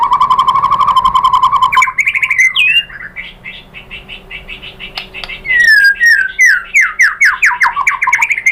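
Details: Shama lure song for provoking answering white-rumped shamas: a steady buzzy held tone, then quick repeated chips and a series of sharp descending slurred whistles.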